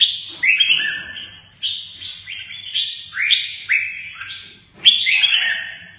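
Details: Red-whiskered bulbul that plays its wings well sings clear, loud whistled phrases with downward-sliding notes, repeated in short bursts about every second, against a quiet low hum.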